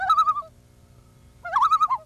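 A Common Loon gives two quavering, laughing bursts about a second apart, each half a second of rapid wavering notes at a mid pitch over quiet background.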